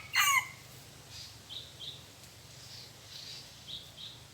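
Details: Red junglefowl, a large wild rooster in forest during decoy luring: one brief, loud crow fragment at the start, then soft paired high chirps of other birds repeating in the background.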